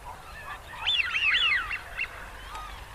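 Wigeon giving a burst of overlapping whistles from several birds, rising and falling over about a second. A single shorter whistle follows, over a soft background hiss.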